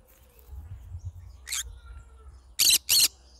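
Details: Yellow-sided green-cheeked conure singing: one harsh, broadband screech, then a pause and two loud, rasping screeches in quick succession near the end, over faint low background hum.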